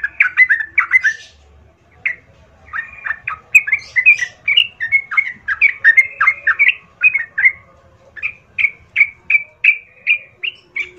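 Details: A sooty-headed bulbul gives a long, energetic lure song meant to provoke rivals into fighting: tumbling chatter of whistled phrases, then a run of evenly spaced bright chirps near the end, with faint low hum behind.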